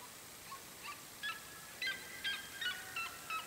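Red-legged seriema giving a quick series of short, sharp yelping notes, about eight in under four seconds, growing louder, over a steady background hiss.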